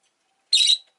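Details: Two Rosy-faced lovebirds huddled together at the entrance: a single harsh, buzzy chirp lasting about a quarter second, broad and high-pitched, with silence before and after.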